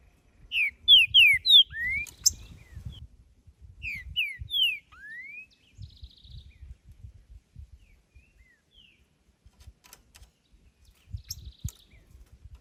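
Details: Wild green-winged saltator singing in nature, delivering two loud phrases of clear slurred whistles, each a run of three or four quick notes closing on a rising glide; a buzzy trill and soft chips from other birds between phrases.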